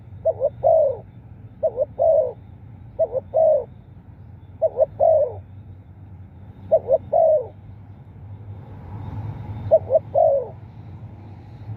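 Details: Spotted dove cooing, six evenly paced phrases of twin short notes and a longer mellow coo, spaced about two seconds apart; a brief soft noise rises in the background near the end.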